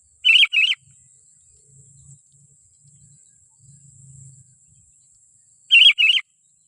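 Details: Sooty-headed bulbul calling to lure wild bulbuls: a pair of loud, wavering whistled notes, then a long gap holding a steady thin high hiss and a faint low rumble, then another matching pair.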